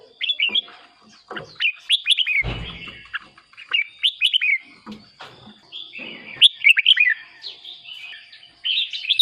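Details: Red-whiskered bulbul singing, used to make caged birds excited; cheerful liquid whistled phrases repeated every second or two, a loud thump near the middle, and a faint continuous high whine behind.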